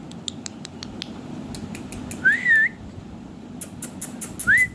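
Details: Pet ringneck talking parrot, singing and dancing, gives two clear whistled notes about two seconds apart. The first wavers up and down and the second rises. Faint tapping clicks can be heard in between.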